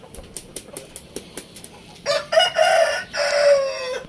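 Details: Indio Gigante chicken kept for feeding: about a dozen sharp tapping clicks, then three loud, harsh, strained crow-like bursts, each a drawn-out harmonic call, filling the last two seconds.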